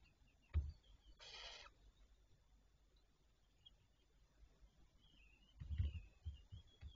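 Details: Barn owls recorded on 27 May 2023 at 07:52: one harsh, hissing screech lasting about half a second rises out of a quiet background, with a few low thumps before and after.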